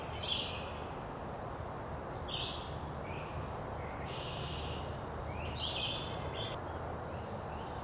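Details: Barred owlet on its first day out of the nest, visited by its mother, gives short, raspy hissing bursts, about six in eight seconds, over a steady low rumble of background noise.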